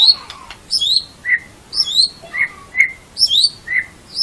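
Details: White-rumped shama song used as a master recording for training songbirds: varied whistled and chirping phrases, sweeping notes around the high range with lower slurred whistles, delivered in quick bursts roughly every half second.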